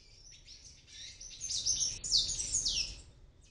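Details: Palm tanager fledglings making their first flights from an oregano plant on a ninth-floor apartment in Medellin, Colombia, where they hatched; thin high chirps cluster in the middle seconds over a low background rumble.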